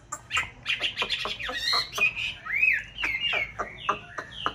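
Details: Chinese hwamei (white form) kept in a conservation aviary in a mountain town, one of a pair in breeding season, singing a rich run of clear whistled phrases, slurred rising and falling notes mixed with sharp chips in quick succession.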